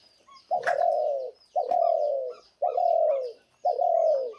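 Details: A spotted dove being fed soil gives four low, soft, hollow coos, each slightly falling and about a second apart; faint high chirps sound in the background.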